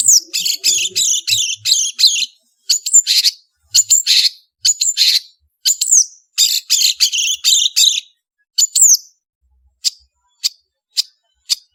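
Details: Energetic long-tailed shrike (cendet) song for training other birds. Rapid jumbled bursts of scratchy, high chattering notes run for about eight seconds, then thin to isolated sharp ticks spaced about half a second apart. A few faint low sounds open it.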